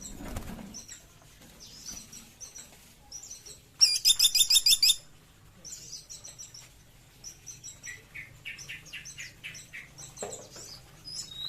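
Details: A Sunda pygmy woodpecker delivers a short, harsh trill of about eight clipped high notes in quick succession, standing out over a background of softer twittering and chipping from other birds.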